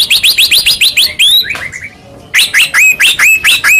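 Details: Song of a white-rumped shama, meant to provoke another shama to sing: fast repeated rising whistles, a slurred descending phrase, brief quiet, then another string of bright upslurred notes.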